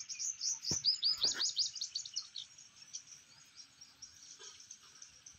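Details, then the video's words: Grey francolin (Dakni teetar) chicks give rapid, thin, very high peeps, about three a second, that fade after two seconds, with two dull thumps at the start. "dakni Teetar sounds world famous Dakni chicks"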